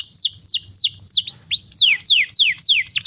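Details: A canary sings a tutor song for young birds: clear, high notes slide downward, repeated roughly three times a second, with a brief steady whistle in the middle.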